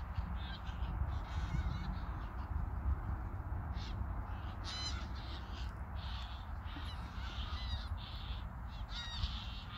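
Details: Geese on migration flying over Koedijk, Langedijk, Netherlands, 21 August 2019 in the evening; scattered honks from several birds, some sharp and clear, others faint, over constant wind noise.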